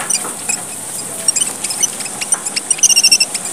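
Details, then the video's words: Lure call of the red munia, a tiny Papuan bird from Indonesia: sparse high squeaky chips at first, then a rapid run of about seven bright, evenly spaced tinkling notes near the end. "suara gocar, burung emprit merah papua / suara burung pipit / suara pemikat & pancingan gocar"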